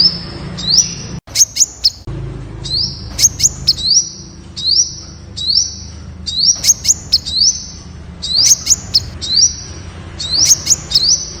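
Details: Temminck's sunbird (Aethopyga temminckii) song: very high, thin notes repeated about once a second, each a quick upward sweep with sharp ticking accents, over a faint low hum.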